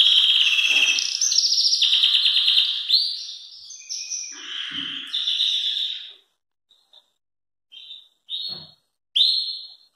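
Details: Belgian canary singing very loudly, used for training young birds: rapid rolling trills and buzzy phrases for six seconds, then a pause followed by short separate whistled notes.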